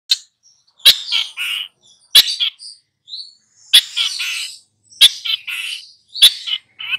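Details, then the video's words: Long-tailed shrike, a master bird singing in full voice while tutoring two young birds; harsh broadband clicks about every 1.3 seconds, each followed by scratchy, chattering phrases. "SUHU CENDET FULL GACOR MELATIH 2 MURIDNYA"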